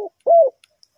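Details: Single drawn-out low coo from a spotted dove, rising slightly then falling away, in a bird-trapping recording, preceded by the tail of an earlier note.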